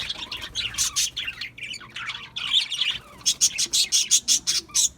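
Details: Budgies chirping: bursts of buzzy, rasping warble, then a rapid series of about ten sharp, evenly spaced high chips near the end.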